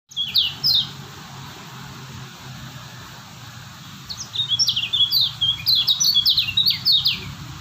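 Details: Lemon-bellied white-eye from Lombok singing: a short burst of high, sharply falling whistled notes, a pause, then a faster run of slurred downward chirps, over a steady low hum.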